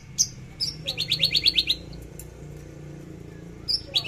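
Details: Free-flowing trotol song of a Javan bush lark: thin high whistles followed by a quick string of about ten sharp, evenly spaced chips, silence, then more piercing whistled notes, set against a faint low drone.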